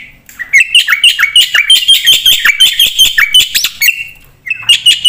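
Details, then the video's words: Javan pied starling in full song for use as a lure and master recording: quick chattering phrases mixed with short rising and falling whistles, a pause, then the chatter resumes. "suara burung jalak putih gacor full isian"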